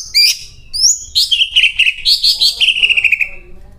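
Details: Vigorous song of a caged greater green leafbird loaded with cililin mimicry: piercing high chirps and upslurred whistles run into a fast rattling series of bright notes that slowly descends in pitch.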